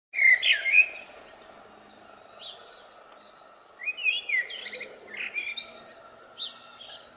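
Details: Blackbird singing in spring: a low, fluted warble opens, then a burst of high, thin twittering. After a pause it gives another mellow phrase that ends in squeaky chatter.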